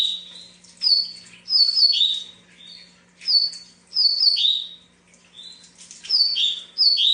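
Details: Double-collared seedeater repeating brisk whistled phrases of sharp high notes dropping to a slurred ending, with brief pauses between; a steady low hum runs beneath.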